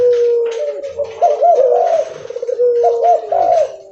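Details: Loud, persistent leopard spotted dove cooing on the move: a steady low tone under repeated looping, throaty coo phrases, two clear bursts in a few seconds.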